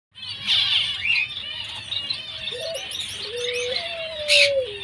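White-headed munias give a busy stream of thin, high chirps and peeps, overlapping throughout, with a lower drawn-out whistle running beneath in the second half.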